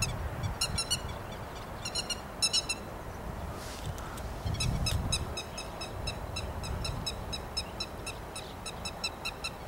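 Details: Rice-paddy grey-headed lapwing, 13 May 2021, uttering clusters of harsh, high, rapidly repeated notes in several bouts, then a longer even series, with a low rumble swelling in the background midway.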